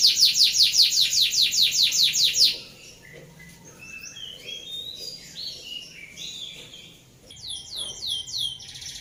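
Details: Canary rolling song (ngeroll), described as suited for tutoring other birds: a rapid high rolling trill of downward-sweeping notes for over two seconds, then quieter scattered chirps, then another bright trill resuming near the end.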